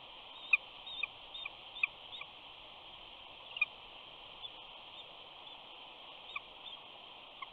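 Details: A mother eagle at the Big Bear nest softly whining to her mate: sparse, thin, high chirps, several in the first two seconds, then fewer and fainter ones, over a quiet, steady hiss.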